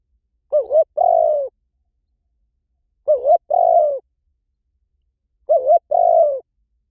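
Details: Spotted dove cooing in a recording used as a decoy; three two-part phrases, each a short wavering note then a longer, steady, slightly falling coo, repeated about every two and a half seconds, with a clean, silent background.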